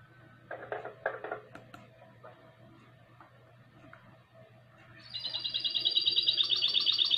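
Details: Goldfinch × canary hybrid. A few harsh, buzzy lower notes and clicks open the clip, followed after a pause by a long, rapid, bright trill that keeps building in loudness until the end.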